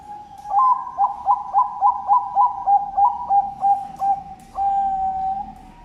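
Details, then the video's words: Captive zebra dove at a bird farm in Sidoarjo, East Java, Indonesia, kept as breeding stock, singing in the noklak style. Eleven short clipped cooing notes come about three a second over a steady mid-pitched tone, then one long held coo. "SUARA PERKUTUT NOKLAK BAGUS UNTUK MATERI INDUKAN"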